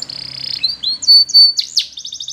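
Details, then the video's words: Belgian canary singing: a sustained buzzy whistle, then short pure whistled notes and steep sweeping slurs ending in a fast trill of repeated high notes. "Spectacular Belgian Canary"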